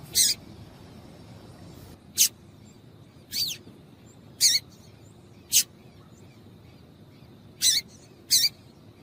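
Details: Female Double-collared Seedeater call meant to get males singing: single clean, high, slightly downslurred chips spaced a second or more apart, about seven in all, over quiet background hiss.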